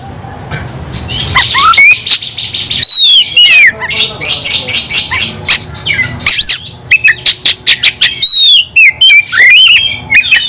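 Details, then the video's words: White-rumped shama singing in fighting mode: rapid harsh buzzy bursts mixed with bright whistled slurs and quick chattering phrases, loud throughout over a faint low hum. "kacer langsung KONSLET tarung ngotot full emotional"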